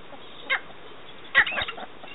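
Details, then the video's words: Cheer pheasant in a UK aviary giving a brief harsh note, then a louder rough burst of three or four quick notes a second later, over steady background hiss. "cheer pheasant"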